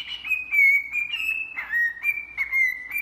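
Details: Cockatiel giving a continuous string of bright whistled notes, each gliding slightly downward, with brief soft chirps between them.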